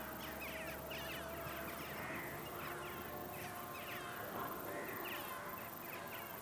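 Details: Flock of western jackdaws calling before a storm: many short, sharp chacking calls overlap continuously and densely, with a steady roar of wind or rain noise underneath.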